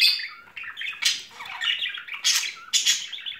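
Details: Pet budgerigar couple in spring mood: scratchy chattering and loud harsh squawk bursts recurring about every half second to second.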